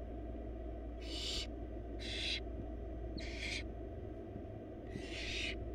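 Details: Begging from wild barn owl nestlings, four in a research nest box being fed a rabbit by their mother; four separate breathy screech-hisses spaced about a second apart, against a droning low background hum.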